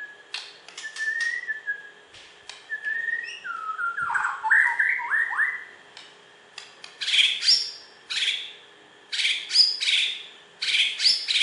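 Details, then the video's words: Champion white-rumped shama from Borneo, West Kalimantan, singing long flat whistles, then a run of stepped downslurred notes, and later loud harsh, buzzy bursts repeated about once a second between sharp clicks. "Video Burung Murai Batu Borneo Juara Di KalBar"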